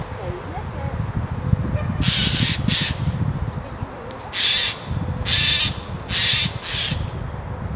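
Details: Jay in Christchurch Park by day, apparently trying to waken a tawny owl from her daytime sleep: six harsh, rasping screeches in quick bursts, each under half a second, over low rumbling wind and background noise.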